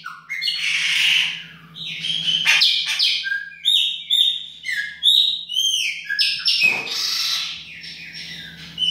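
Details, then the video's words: Chopi blackbird, baianinho style, performing in a kitchen: continuous loud song of rasping bursts, bright downslurred whistles and quick chattering notes repeated in short phrases, with a low mechanical hum beneath. "PÁSSARO PRETO BAIANINHO DA UMA PALHINHA NA COUZINHA !"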